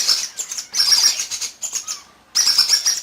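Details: A baby Indian ringneck parakeet, sex unknown, being hand-fed late at night, gives harsh, high, raspy chirps in rapid bursts broken by short pauses, with faint rustling between calls.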